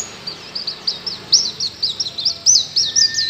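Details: White-eye singing: a fast run of high, thin, wavering chirps and slurred whistles, about two notes a second, with a steady faint tone in the background.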